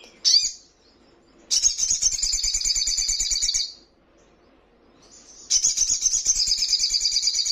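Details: Ruby-cheeked sunbird in a training recording that prompts caged birds to answer: a brief high chirp, then a long, fast, buzzy trill of about two seconds, silence, and a second extended trill.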